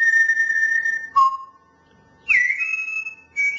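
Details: A grey parrot whistles the tune "Tulpen uit Amsterdam" in clear, pure notes: a long high tone, a lower one, then a rising slide into a held high whistle.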